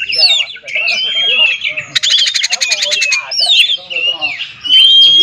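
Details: Oriental magpie-robin song used as a lure to provoke silent captive magpie-robins into singing: a dense, varied run of whistles, chirps and swooping notes, with a rapid buzzy pulsed trill midway and a long clear whistle near the end.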